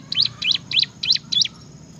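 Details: Bar-winged prinia, known as ciblek, singing loudly in ngebren style: five bright, high, slurred chirps repeated about every quarter second against a quiet background.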